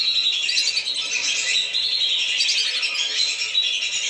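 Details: Lesser whistling duck flock chorus for luring birds down, dense overlapping high whistled notes and rapid chatter pouring out without pause.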